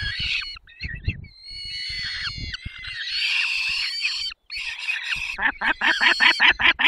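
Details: Peregrine falcon calling during a feeding at 10:22 on 20 May 2021 in the Barycz Valley, Poland: harsh, shifting screams and wails, then a fast run of sharp, clipped notes near the end.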